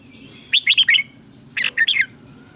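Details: Red-whiskered bulbul singing in Thailand, southern master style, a recording meant to rouse caged bulbuls and tutor chicks. Two short bursts of rich, rolling whistled notes, each about half a second long, on a quiet background.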